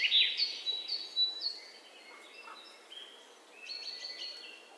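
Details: Nest of red-whiskered bulbuls at a house, three young being fed: sharp high chirps in quick pulses open the recording, fading to soft scattered notes, with a renewed patch of thin calls later.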